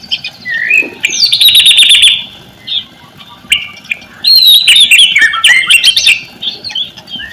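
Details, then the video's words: Lure song of the white-rumped shama meant to prompt quiet shamas into singing: bursts of rich warbling, buzzy trills and rising whistles separated by short pauses. "MURAI MCET, MALAS BUNYI,,JELAS LANGSUNG RESPON, IKUT GACOR NEMBAK ISIAN"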